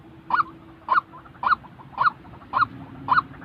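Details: White-breasted waterhen recorded for training trap decoys, uttering six loud nasal notes at a regular pace over low background noise.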